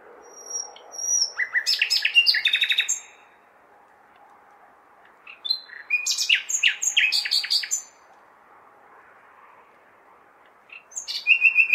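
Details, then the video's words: A common nightingale sings through a May night in a large city, calling females: three separated phrases of quick repeated chips and whistles, each lasting about two seconds, with a faint constant city hum. "Śpiew słowika (nightingale)"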